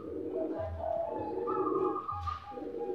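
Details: Captive-bred zebra doves from a breeder's collection give soft, low, rolling coos in quick staccato runs, pausing briefly between phrases; a faint hum behind.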